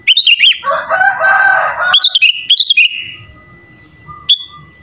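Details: Kutilang, the sooty-headed bulbul, in full 'isian' song. Sharp looping whistles open the clip, then a harsh, buzzy rasping passage, then further quick clicked and whistled phrases, and finally a lone short note.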